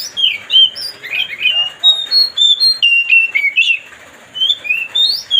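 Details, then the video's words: White-rumped shama, or kacer, singing to agitate another bird: loud clear whistles and slurred notes in a fast, varied series, with a short pause before the final rising phrases. "mancing suara kacer biar emosi"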